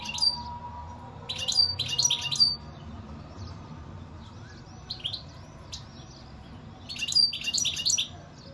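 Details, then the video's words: European goldfinch song delivered in three separate twittering bursts with short pauses between, each mixing sharp chips and brief buzzy trills, against low background hum. "اقوا واجمل تغريد حسون"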